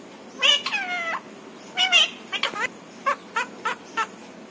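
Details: Pet parrot talking: one long drawn syllable falling in pitch, followed by a series of shorter choppy nasal sounds and clicks.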